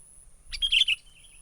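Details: Wild sooty-headed bulbul giving a lure call in the 'menggaruda' style, used to attract birds for trapping: one brief bubbly burst of high chirped notes lasting half a second, then quiet with faint low background rumble.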